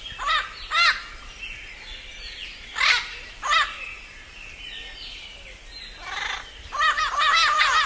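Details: Raucous parrot squawks at dusk, first in loose pairs of coarse, arched notes, then a rapid run of overlapping harsh calls building at the close, with faint softer chatter in between.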